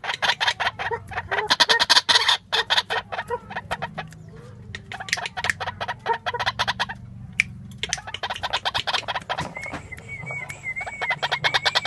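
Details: Female White-breasted waterhen calling vigorously: loud, harsh, rapidly repeated croaking notes in dense bursts with a brief lull midway. A wavering whistle from another bird appears near the end.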